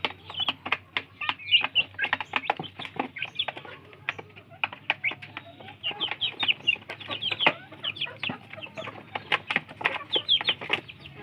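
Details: Free-range village chicks competing to eat; busy bursts of sharp pecking clicks interspersed with thin high chirps, coming in clusters with brief lulls, over a low background hum.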